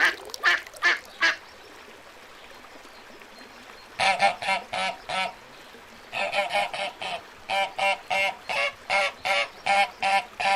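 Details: Little ducks calling in quick, rhythmic series of harsh, nasal quacks, several runs separated by short pauses, the calls evenly spaced at about two or three per second.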